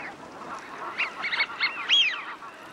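Eurasian wigeon giving a quick series of short whistled notes, then a clearer rising-and-falling whistle; soft background hiss throughout.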